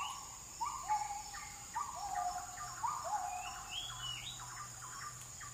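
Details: Forest recording of an oriental magpie-robin song: a run of repeated short whistled phrases with sliding notes, a few higher rising whistles near the end, over a constant high buzzing hum.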